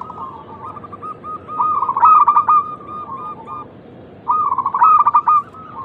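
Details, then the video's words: Local zebra dove song used to draw other doves into cooing: soft rolling coos build into loud, stuttering trilled phrases twice, about two seconds apart, with a steady hiss underneath. "pancingan terampuh untuk merangsang bunyi burung perkutut lokal"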